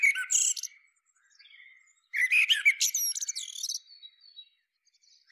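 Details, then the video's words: Common Blackbird song phrase with fluted low notes and a tinny, shrill twitter, followed by a second longer phrase whose high end has bouncing, squeaky notes; quiet background. "What does blackbird sound like? Common blackbird call."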